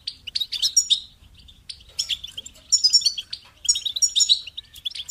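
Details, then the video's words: Goldfinch singing a lively twittering song, short bursts of bright high chirps and liquid trills separated by brief gaps, clean and close. "Amplifying the Goldfinch's Voice: Ways to Develop Bird Voices"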